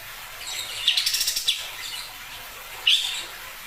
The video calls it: special cotton-shooting bird makes a croaking sound